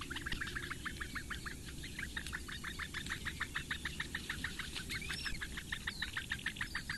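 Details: Eurasian bittern chicks, four in a nest in reedbeds of Lake Engure, Latvia, being fed by the female on a May morning; a rapid, steady series of short high clicking begging notes, about three per second, over low rumbling background noise.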